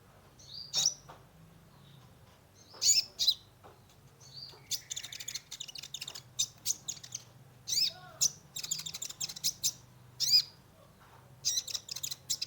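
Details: Sunbird (kolibri ninja) singing hard as a lure for a stressed caged bird: loud high chirps followed by dense, rapid stuttering twitters in repeated bursts over a low hum.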